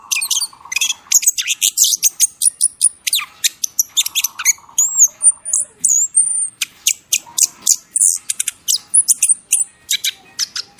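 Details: Masteran training song for tutoring songbirds: a dense, nonstop stream of sharp high chirps, clipped staccato notes and rapid trills, broken by a few pure whistled slurs and short buzzy low rattles, nearly every second packed with calls.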